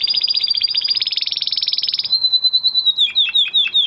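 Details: Song of a male canary after the moult: a two-second dense buzzing trill, then a sustained pure whistle breaking into several swooping falling notes.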